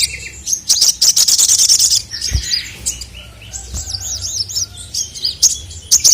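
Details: Loud dry rattling from a male crested jay, a recording meant to enrage rivals, followed by looping whistled chirps and a closing rattle, with a few low thumps.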